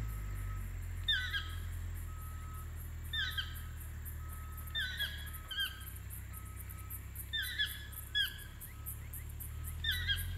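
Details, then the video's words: Repeated toucan yelps in Ojochal, Costa Rica: about seven falling, ringing double notes spaced one to two seconds apart, set against continuous pulsing insects and a low background hum. "Toekangeluid in Ojochal"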